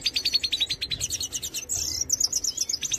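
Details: Major goldfinch singing: fast metallic trill of rapid repeated notes, shifting to higher buzzy twittering and a short nasal burst, with faint low background rumble.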